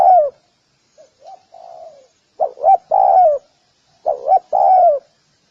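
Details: Spotted dove cooing: a faint, soft, low croon near the start, then two loud phrases of paired short notes and a long, slightly falling coo; otherwise silent.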